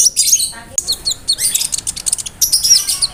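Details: Konin bird song with imitated cricket and bird sounds meant as a tutor for songbirds; crowded, very high scratchy chirps and a short descending trill, hardly any gaps.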